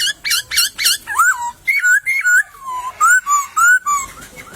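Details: Laughingthrush singing in a bamboo thicket in the wild: rapid, ringing whistled notes with bright overtones, then looping rising-and-falling whistles in a quick run.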